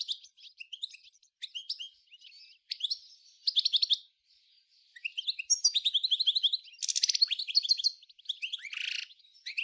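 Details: European goldfinch from Souk Ahras (Taghast), Algeria, singing the 1995 'nature' style, the same song as birds of Djnane Bouecha, Ain Dalia dam and Djoudi farm: bursts of high twittering notes and buzzy trills broken by short pauses.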